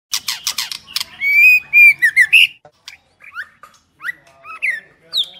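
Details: Female white-rumped shama used to stir up males: a burst of sharp clicking notes, then loud rising and falling whistles around a steady pitch, followed by scattered short slurred whistles with brief pauses.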